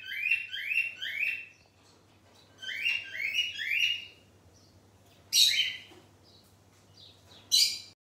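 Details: Cockatiel voice: two runs of three quick buzzy chirping notes, followed by two abrupt loud screeches separated by pauses, over a steady faint low hum.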